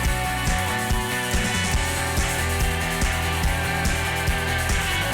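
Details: Dense rock music with driving drums and distorted guitar fills everything, and no animal calls stand out.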